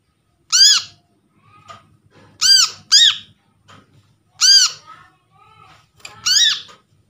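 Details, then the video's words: Lure recording of Brown-throated Sunbird, taken from trapped birds to get quiet birds calling again. Rasping, harmonic arched squawks come singly or in pairs at uneven intervals, with softer chatter and faint low rumble between. "PANCINGAN BURUNG KOLIBRI KELAPA"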